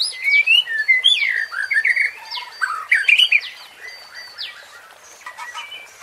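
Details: Provoking song of a white-rumped shama, known locally as murai batu: a rich burst of varied whistles and sharp upward sweeps in the first half, fading into quieter scattered notes.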